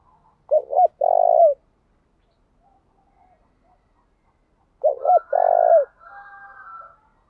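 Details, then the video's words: Decoy spotted dove calling to make wild doves answer, switching patterns continuously. Two low phrases of quick double notes and a long rolling coo, about four seconds apart. A faint higher wavering sound follows the second phrase. "Tiếng chim cu gáy thúc bảo đảm bổi nghe gáy liền, chim cu gáy mồi đảo bài liên tục"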